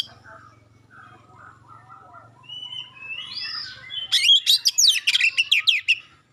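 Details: Oriental magpie-robin song meant to provoke other magpie-robins into answering, mixing sharp 'shot' notes with clear tones; after four quiet seconds with faint low hum, a loud burst of rapid, steep whistled sweeps and chips.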